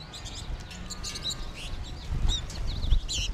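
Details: American goldfinch flock in March 2021: dense overlapping high twittering and slurred chirps from many birds, with low rumbling background noise and a soft thud.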